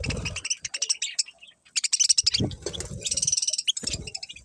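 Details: Busy budgie chatter: rapid, dense high chirps and scratchy twitters pour out almost without pause, over scattered low knocks and rustling.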